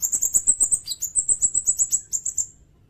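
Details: Sirindet song, recorded as tutoring material for cage songbirds and for bird luring. A steady, rapid series of very high, sharp chirped notes, about six per second, runs for two and a half seconds and then stops.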